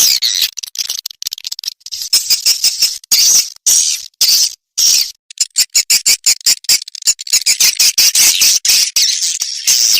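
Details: Edible-nest swiftlet lure call for a nest house: dense rapid clicks and buzzy chattering chirrs, broken by brief pauses.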